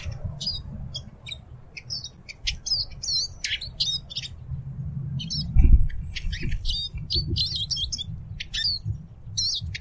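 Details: Eurasian siskin song: rapid high twittering notes and short chirps in quick bursts, over steady low rumbling background noise with a brief thump near the middle.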